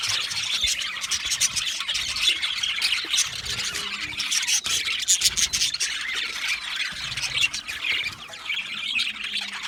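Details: Budgerigar flock in an aviary, a dense wall of high scratchy chatter and quick chirps from many birds, with brief louder squeaks standing out now and then.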